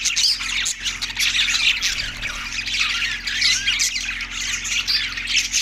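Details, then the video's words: Group of budgerigars in Larkana, Sindh, March 14, 2024, giving harsh squawks mixed with high twittering, a constant crowded chorus with brief dips in volume. "budgies chirping sound effect"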